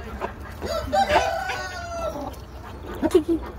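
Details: Chickens running about, giving drawn-out, wavering calls followed by a couple of short sharp clucks, over a low background murmur.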